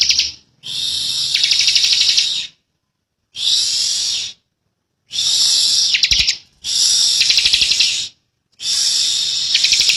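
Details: Sustained 'ngebren' song from a young bar-winged prinia. Five long, high, buzzy rattling bursts come at roughly two-second intervals with clean pauses between them.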